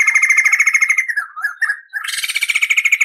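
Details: Crested laughingthrush tutor song with long rolling trills: a fast buzzy rattle of about three notes per second, sliding down and breaking into tangled notes, then a bright, rich rolling trill resuming.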